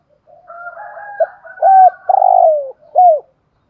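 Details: Vietnamese decoy spotted dove, "giọng thổ" voice type, delivering a full cooing phrase: soft low murmurs build into two strong coos, then a long tremulous coo sliding down and a short closing note.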